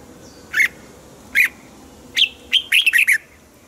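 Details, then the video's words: Caged red-whiskered bulbul, kept for song, sound meant to excite other caged birds: sharp, bright chirped notes, two spaced singly, then a quick cluster of five or six clipped notes near the end, with a faint steady hiss behind. "นกปรอดหัวจุก | เสียงนกกรงหัวจุก"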